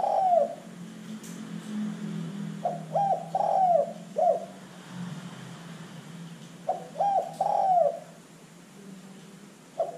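A Zebra dove gives short bursts of rapid, staccato, bubbling coos, phrases a few seconds apart, over a low steady hum.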